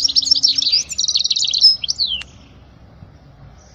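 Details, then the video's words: European goldfinch song for teaching young birds: rapid high tinkling twitter of bright notes and a buzzy trill, ending in a descending slur, then quiet with a low hum beneath. "أجمل تغريدة لطائر الحسون لتعليم الفراخ الصغار"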